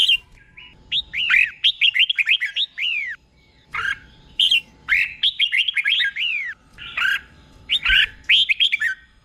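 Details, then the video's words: Red-whiskered bulbul tutor song used in training caged birds: rapid, bright whistled phrases of six to eight downslurred notes, repeated in close succession with short gaps. "เสียงนกกรงหัวจุก | สุดยอดนกครู เบิ้ลชัดๆ เบิ้ลเป็นคู่ๆ"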